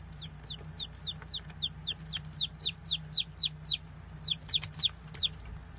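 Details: Baby chickens peeping: a steady stream of high, downward-sliding cheeps, roughly three or four per second, with more than one chick calling and a constant low hum underneath.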